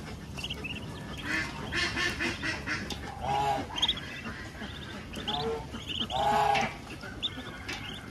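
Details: Farmyard duck with her ducklings at feeding time in the countryside: a run of loud, nasal quacks in clusters, some drawn out, mixed with thin high peeps of ducklings.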